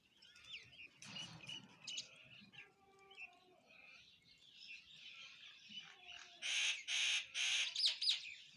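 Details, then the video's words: Feeding sparrows chirp while eating: scattered soft tweets and twitters give way to four loud, harsh chirps in quick succession at the close. "eating Sparrow Chirping Sound | Sparrow Birds Eating Food Chirping"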